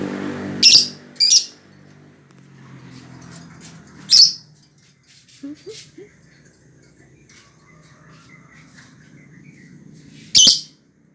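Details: Lovebird chirping: loud, shrill, high broadband chirps, two close together near the start, one in the middle and one at the end, separated by quiet stretches with faint low room hum and a few soft clicks.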